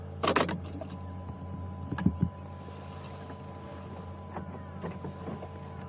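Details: Morning safari drive at sunrise with a low engine hum, a few loud knocks and rattles near the start and faint mechanical clicks, with no animal calls.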